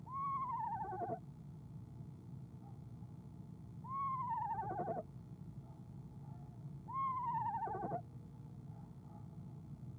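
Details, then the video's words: An eastern screech owl in a nest box, filmed by camera at 6:00 pm CST on 25 January 2015 before leaving in the evening. It gives three quavering, descending whinny-trills, each about a second long, spaced three to four seconds apart, over a low hum. "Athena trills"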